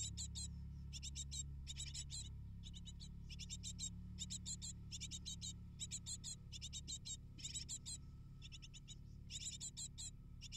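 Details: Hungry great tit nestlings, eight in the nest, calling while being fed: short clusters of shrill, raspy cheeps repeated roughly once a second in a regular pulsing chorus above a constant low drone.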